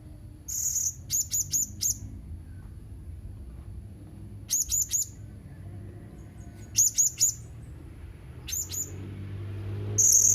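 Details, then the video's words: Blue-crowned hanging parrot repeating brief series of three or four sharp, high, squeaky notes at irregular intervals, ending with a longer harsh, buzzy burst. "Burung Serindit anda gak akan diam mendengar Suara serindit ini"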